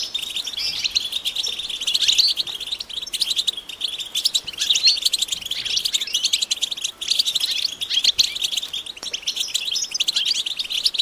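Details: Wild European goldfinches in a massed chorus of mating and readiness calls, said to stimulate males to sing. A thick, unbroken wall of fast, buzzy twitters and chirps from many birds lasts throughout.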